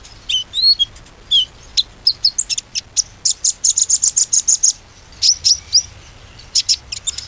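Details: Konin singing as a lure so silent birds start singing again: lively high song of curved whistles and chirps flowing into fast trilled bursts of thin, bright notes, with short pauses between phrases.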